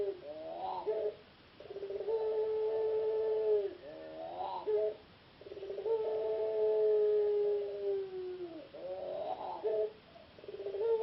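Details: Ringneck dove of the puter pelung singing style, a caged Indonesian contest bird that reached a P4SI semifinal in Yogyakarta. It gives repeated phrases: a bubbly rising lead-in followed by a long, steady, slightly falling coo, each phrase about four seconds apart.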